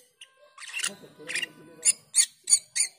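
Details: Black-winged myna (jalak keling) used as a lure to train cucak keling, giving ngriwik chatter: two rough bursts followed by four sharp, high clipped notes in quick succession.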